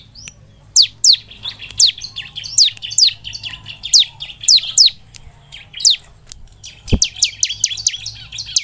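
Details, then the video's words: Singing Bar-winged prinia, used to prompt birds into energetic song: spaced, high, down-slurred chirps in small clusters, a sharp click near the seventh second, then a quicker run of chirps. "Pancingan ciblek semi supaya gacor penuh emosi Pagi, siang dan malam|| ciblek gacor"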